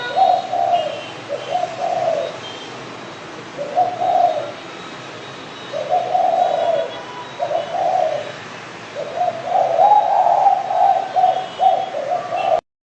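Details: Spotted dove calling repeatedly: low, mellow coo phrases spaced a second or two apart, ending in a longer run of joined coos, steady background hiss.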